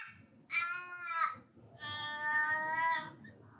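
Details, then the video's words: Australian raven giving two drawn-out, nasal wailing calls, the second longer and sagging at the end, over a faint low rumble. It is its standard three-note call, the highest pitched and loudest of the ravens, like surprising itself, asking a question and answering it. "The Australian raven is the highest pitched actually, but in some ways the loudest. And it's got that three note. You would probably know that call."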